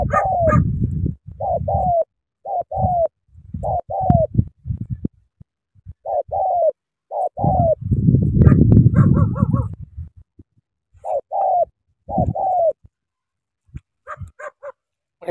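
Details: Spotted dove in Cà Mau, Vietnam, giving a long run of paired coos: a brief note then a drawn, falling hoot, repeated steadily. Heavy low thuds and handling noise between phrases, with a rougher burst near the middle.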